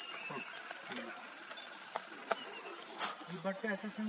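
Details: A male orange-bellied leafbird (Chloropsis hardwickii) in Mishmi Hills, Arunachal Pradesh, India, in April 2023 gives three loud, high, slightly falling whistles roughly every two seconds, with faint low murmurs and soft background chatter between.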